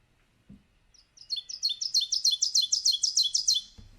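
Ovenbird song: a run of about a dozen two-part 'teacher' phrases, about three per second, starting soft and building steadily louder. A faint thump at the start.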